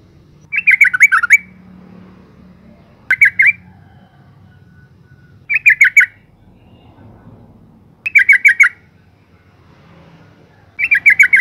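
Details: Female yellow-vented bulbul calling to draw out and stimulate males: harsh chattering bursts of four to six rapid notes, repeated about every two and a half seconds, with a faint low hum between bursts.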